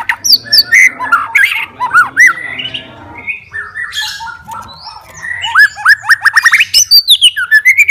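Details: White-rumped shama in challenging fighter song aimed at provoking other shamas: varied arched whistles and harsh squawky notes, then a fast run of repeated rising whistles near the end.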